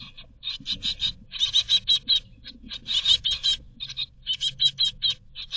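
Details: Begging great tit nestlings in a nest box in Berlin, 2022, calling for food: rapid trains of harsh, high-pitched chirps in bursts of four to eight notes, with brief pauses and soft low thumps from movement.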